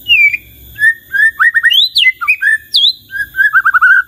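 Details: White-rumped shama in varied song: fluting whistles sliding up and down, quick rising notes and a rapid rolling run of short phrases, sung continuously and loudly.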